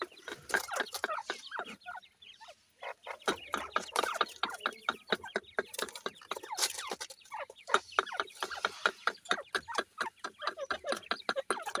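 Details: A lively group of grey partridge chicks at play calls almost nonstop: dense, rapid overlapping chirps and peeps with sharp clicks, pausing briefly near two seconds before resuming.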